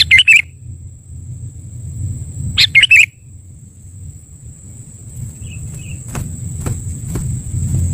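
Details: Trapping lure call of the Sooty-headed bulbul, two quick chattering, bubbly bursts roughly two and a half seconds apart, then quiet background with faint clicks and a constant high-pitched electronic tone.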